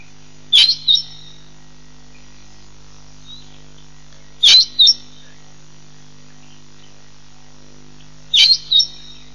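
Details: African green pigeons at Nkorho Pan, recorded 15 June 2007: short high, squeaky double notes repeated roughly every four seconds, each a sharp rising squeal followed by a briefer echoing note, over a steady low hum.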